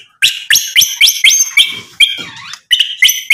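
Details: White-rumped shama singing to provoke a rival's answer: sharp, upward-flicking notes repeated about four times a second in a ringing series, broken once by a wavering slurred whistle.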